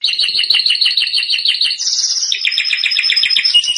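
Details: Canary song for training birds: a loud series of rapid rolling trills, each section pitched differently, first a steady pulsed roll, then a brief higher buzz, then a lower rhythmic trill.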